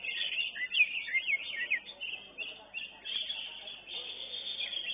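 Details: Greater green leafbird (Chloropsis sonnerati) singing in a bird-song contest arena: a fast, varied stream of high chirps, slurred whistles and trills, with faint other birds and crowd noise beneath.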